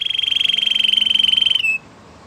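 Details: Canary song phrase: a single sustained, fast-pulsed rolling trill at one steady pitch for over a second and a half, dropping slightly at the end before stopping.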